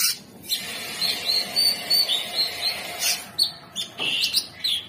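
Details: Orange-bellied leafbird singing steadily: a string of thin high whistled notes repeated about every half second, with a few sharper notes at the end.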